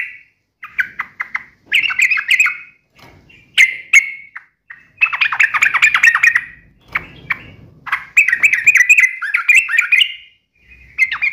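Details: Sooty-headed bulbul singing energetically in the sharp uplik nembak ropel style, meant to prompt other bulbuls to answer. Bursts of quick chattering, warbled phrases and sharp clipped notes, broken by brief pauses, with a faint low rumble.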